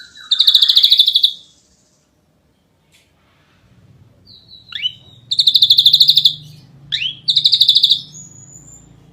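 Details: A champion ashy drongo sings in the tight 'nembak rapat' style: a loud, fast buzzy trill, a pause, then sharp rising whistles that break into more rapid rattling bursts and a thin high whistle.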